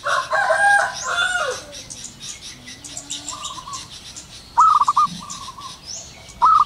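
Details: Wild zebra dove at dawn; another bird's loud varied chirping opens, followed by quiet level coos and two bright, fast-stuttered cooing bursts near the end.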